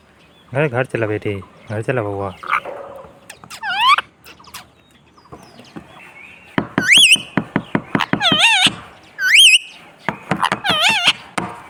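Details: Pet Indian ringneck parrots, a male and a female, at home: loud rising-and-falling squawks and sharp screeches, nasal chattering notes early on, and clustered shrill calls in the second half.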